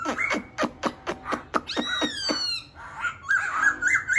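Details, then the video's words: Laughingthrush with a fast series of sharp clicking notes, about four per second, leading into harmonic gliding whistles and a jumbled, warbling close. "khướu bổi hót"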